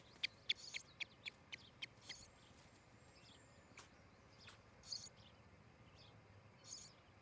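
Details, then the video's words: Osprey at a nest in Charlo, Montana, on a July 2018 morning nest cam: a quick run of sharp, high chirps for about two seconds, then scattered softer notes and a faint background hiss. "Osprey Nest"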